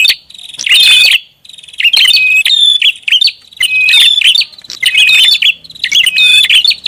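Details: Noisy prinia calling used as a lure, with dense clusters of shrill, scratchy chirps and a level high whistled note, repeated in roughly one-second phrases separated by brief pauses.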